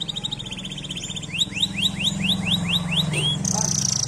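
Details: Canary song: a buzzy high roll followed by a string of about eight rising whistled notes, then a brief high trill, over a loud low hum.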